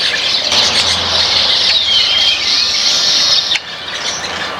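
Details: Flock of baya weavers eating grains in a backyard, giving dense, overlapping high chirps and squeaky notes with a few thin descending whistles, steady throughout before quieting near the end.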